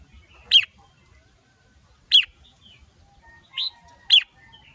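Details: Red-whiskered bulbul worked up by a female; loud, sharp downslurred whistles repeat about every one and a half seconds, with a softer note before the last one.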